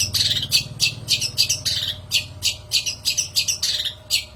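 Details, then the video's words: Harsh, scratchy notes of a long-tailed shrike lure song, repeated about three to four times a second in an unbroken chattering run, over a steady low hum. "PANCINGAN MASTERAN PIKAT BURUNG CENDET"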